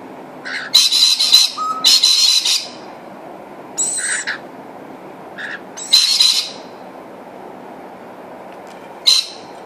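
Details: Rainbow lorikeets, a mother, father and their young baby visiting a feed, give loud grating screeches in clustered bursts of about half a second, with brief gaps and a low hum behind.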